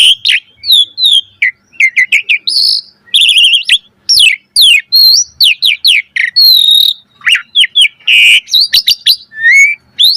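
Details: Continuous varied singing from an Asian pied starling as a tutor recording: tight sequences of sharp chirps, wavering whistles and brief buzzy notes with barely any pauses.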